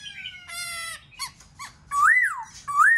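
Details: Black-throated laughingthrush song used to encourage other birds to sing: a harsh, rich buzzy note, a few short chips, then two loud smooth whistles swooping up and down.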